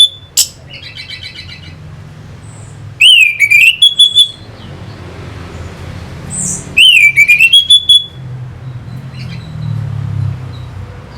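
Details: Orange-headed thrush song used to stir birds into fighting: two loud phrases about four seconds apart, each a dipping-then-rising whistle trailed by rapid harsh ticks, over quiet background.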